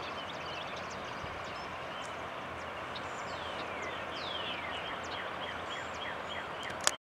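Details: Least terns at Cape May wetlands, New Jersey, USA, with one on a pontoon, give thin, high, downslurred squeaks and short chattering notes, scattered irregularly over a steady roar of surf or wind.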